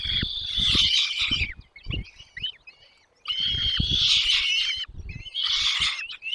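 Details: Nestlings in the nest as the parents bring food: loud raspy bursts of high begging cheeps, a quieter pause with scattered chirps around three seconds, then renewed clamour with rustling.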